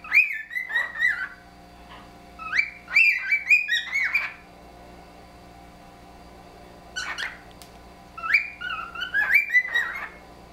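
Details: Pair of caged house cockatiels whistling together in a friendly musical exchange, sharp upward wolf-whistle notes followed by warbling falling extensions, several phrases answered back and forth with quiet gaps between.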